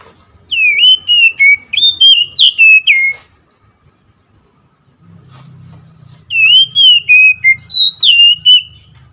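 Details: Oriental magpie-robin delivering rapid whistled song: a string of bright, slurred notes in quick succession, a pause with low rumbling background noise, then another fast phrase of rising and dipping whistles.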